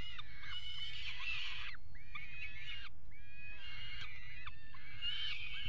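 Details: Peregrine falcons mate on the edge of the nest box at the Axel water tower, Netherlands, on 5 February 2018. Rasping, harmonic wails come in bursts of about one to two seconds with short gaps, over low background noise.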